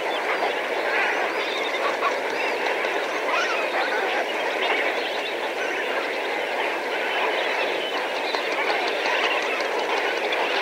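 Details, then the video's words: Flock calls from several thousand Lesser Flamingos heard from medium range, an unbroken wall of nasal, goose-like honks and chatter that keeps an even loudness throughout. "Lesser Flamingo / MP Flock Calls From Several Thousand."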